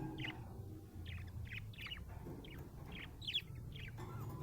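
A budgerigar gives quick, bright chirps, several each second, over a low steady hum.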